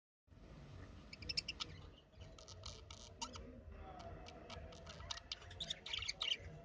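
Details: Budgerigars chattering in bursts of sharp chirps and squawks, with short busy clusters of notes separated by brief pauses, over a steady low background rumble.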